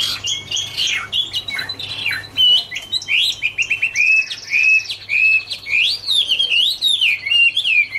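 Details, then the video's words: Autumn song of the Chinese hwamei, 2017: bold whistled phrases with sweeping downslurs and rising loops. A buzzy trill and quick repeated notes are woven in, over a constant low hum. "" Autumn Love Song " Bird Garrulax canorus Singing- Birdsong"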